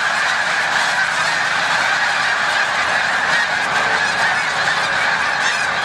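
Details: Spring migration at Montezuma, New York, March 7, 2022: snow geese take flight in a mass of clamorous honks, individual calls briefly rising above a solid chorus.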